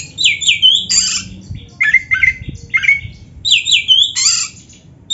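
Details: Oriental magpie-robin giving loud, shrill song phrases, squawky bursts alternating with quick whistled notes in repeated short groups, against constant low background noise.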